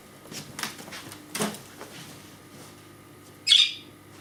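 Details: Injured pet budgerigar in a small cage calling for its owner, who has gone out of view behind a ledge. Rustling and light knocks, then one loud, harsh squawk near the end.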